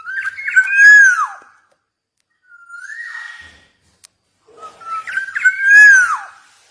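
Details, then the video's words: Javan golden oriole, a black-naped oriole, in lively song. A loud, fluty whistle phrase sliding downward is followed by a soft rising note, then a second full whistled phrase, with a faint click between. "KEPODANG EMAS JAWA GACOR"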